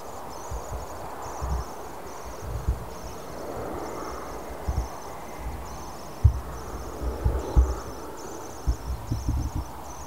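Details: Nearly fledged common swift chick in a nestbox colony near Tubbercurry, County Sligo, Ireland, on 7 August 2014, giving faint high buzzy trilling phrases again and again, with road traffic rumbling throughout.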